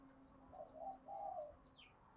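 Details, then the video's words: Spotted dove coo in the 'thúc' and 'gáy gọi' styles, used to train wild-caught and decoy doves to coo. Two or three soft, hollow notes run together, with faint high chirps of small birds in the background. "Tiếng cu gáy Thúc + Gáy Gọi"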